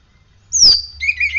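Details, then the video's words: Oriental magpie-robin, kept bird after morning sunning and dew therapy, giving a loud high whistle sliding downward, then a short buzzy warbled trill; a low hum underneath. "Kacer gacor"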